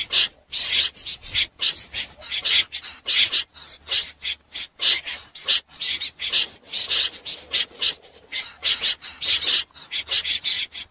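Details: Common snipe calls recorded for night net trapping: harsh, scratchy rasping bursts, repeated in irregular rapid runs with short silent gaps, no other clear sounds.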